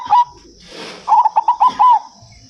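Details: Local perkutut, or zebra dove, in manggung song, played to prompt other birds to sing back. A brief coo, a soft rushing noise, then a run of about six rapid, rolling coos ending in a longer drawn note, with a constant thin high whine behind.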